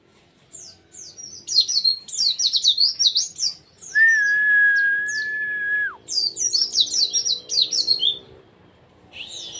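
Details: A white-eye (pleci) in full song, used as a tutor recording for contest birds, sings a fast, high twittering of thin chirps broken by one long, steady whistled tone.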